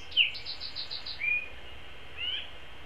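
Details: Long-eared owl at its nest feeding a chick a vole, live cam, 13 April 2016: a sharp high squeak, a quick run of six pulsed notes, then two thin sliding whistles against quiet background.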